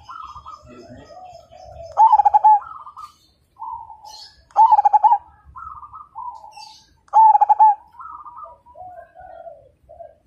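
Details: Zebra dove of the Majapahit line singing to get other birds to join in: three loud stuttered coo bursts spaced about two and a half seconds apart, with gentler coos of other doves filling the gaps.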